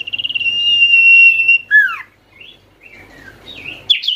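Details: Oriental white-eye calling to stir silent white-eyes into song: a long, bright, rapid trill on one pitch, then swooping downward notes and scattered thin chirps, ending in a sharp high note.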